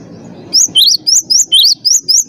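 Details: Cinereous tit singing as a training master: after a moment of low hum, a quick series of about seven bright, high chirps switches between a lower rising note and a higher one.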